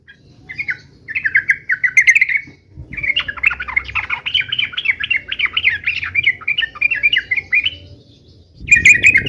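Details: Energetic 'uplik uplik tarung' fighting song of a yellow-vented bulbul: short warbled phrases, a pause, then a sustained run of fast zigzagging whistled notes, ending with one loud burst after silence.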